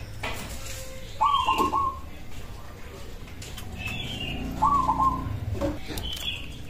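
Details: A local zebra dove's song, said to make other doves reply at once: two quick stuttering phrases of clipped coos several seconds apart, with soft higher chirping and background rumble.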